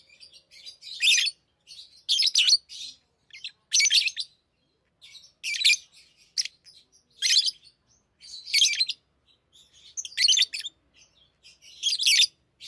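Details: Tame pet lovebirds chattering and singing while playing with rings: harsh, buzzy, high twittering bursts repeated every second or so, with short silent gaps, indoors and otherwise quiet.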